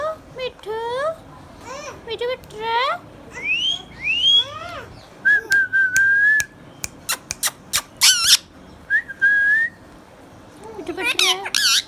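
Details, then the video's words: Hand-tame green Indian ringneck parakeet talking: a run of harmonic, speech-like syllables that rise and fall, then long level whistles and sharp clicking taps, ending in a burst of bright, wavering notes. "Ringneck parrot compilation | Parrot natural sounds | Green Ringneck Parrot sounds"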